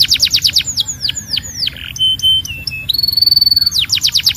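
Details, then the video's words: Belgian canary singing a varied song: rapid rolls of sharp descending notes, slower slurred downsweeps, then a steady whistled tone stepping up into a fast buzzy trill, ending in more quick falling notes. "Your Belgian Canary Might Sing NON-STOP After This"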